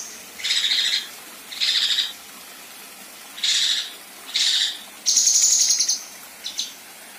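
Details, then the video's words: Female Kinoi with 'besetan' rasping and rough shots used as contest-bird training material: four separate harsh, hissing buzzy bursts, each under half a second, then a shrill high trill and a short final rasp. "Besetan Dan Tembakan Kasar Kinoi Betina"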